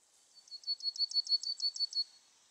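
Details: Yellowhammer song phrase: about ten rapid, evenly spaced high chipping notes in a steady series, with faint background hiss.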